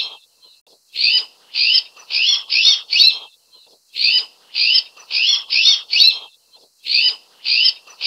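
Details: Azure-winged magpie (Cyanopica cyanus), introduced in Taiwan, giving harsh, rasping notes in quick runs of four or five, about three notes a second, with short pauses between runs.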